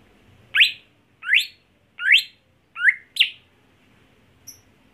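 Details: Five sharp, rising chirps from a greater green leafbird, evenly spaced about half a second apart, the last two closer together, followed by near silence and a faint high tick.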